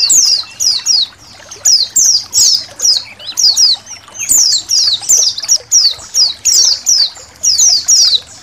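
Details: Indonesian white-eyes calling as a colony. Sweet, high notes swoop downward, repeated almost every half second in a steady, busy chatter from many overlapping birds.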